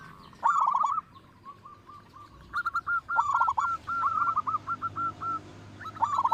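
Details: Lure bird, a loud local zebra dove: rapid stammering coo bursts alternate with lines of short, clear, evenly paced coos, several phrases overlapping across a few seconds.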